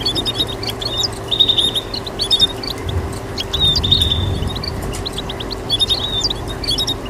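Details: Goldfinch mules, hybrids of goldfinch and canary, chirping and calling in quick high twitters broken by bright level whistles every couple of seconds, with a continuous low hum and faint background rumble.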